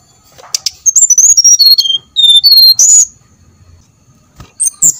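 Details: Lure song of a brown-chested jungle flycatcher meant to provoke other birds into singing: two bursts of sweet, descending whistled notes separated by a pause, then a short high phrase after a quiet gap.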